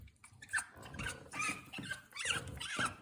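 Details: African grey parrot kept at home, uttering harsh nasal squawks mixed with brief whistled notes, about four bursts in three seconds, indoors with some low thumping.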